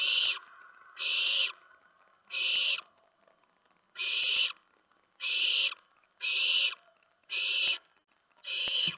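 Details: Nest owlets around 2 AM on September 10, 2017, amid prey deliveries. Eight rasping screeches, spaced about a second apart with a longer gap midway, along with sharp clicks.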